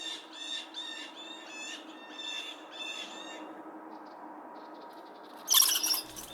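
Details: Blue Jay on a snowy November winter day giving harsh, nasal jeers about twice a second in alarm at an adult northern goshawk, ending with a louder scratchy burst over a faint steady hum.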